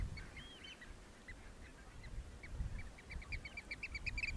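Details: Displaying Eurasian oystercatchers in courtship on Terschelling near Hoorn, Netherlands, 2015: faint high piping notes that become a quicker run of shrill pips toward the end, over a steady low wind rumble.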